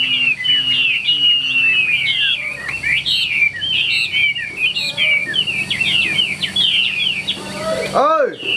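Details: Chinese hwamei kept caged, singing 'ngũ trường' style: a dense chain of quick warbled whistles and trills, ending in a loud swooping rising-and-falling sound near the close.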